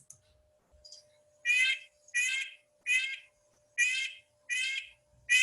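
Red-breasted Nuthatch giving nasal, tin-horn 'yank' notes, each short and even-pitched, repeated a little faster than once per second, with a faint steady hum underneath.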